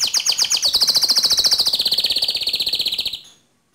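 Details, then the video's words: White canary singing one long, fast rolling trill, steady rapid pulses that slowly fall in pitch before stopping abruptly, followed by silence. "Suara Kicau Burung Kenari Putih Bersih Gacor Dor"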